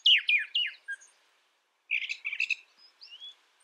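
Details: Brown thrasher delivering a quick run of three descending slurred whistles, a pause, then a rougher chattering phrase ending in a thin rising whistle; no other sounds.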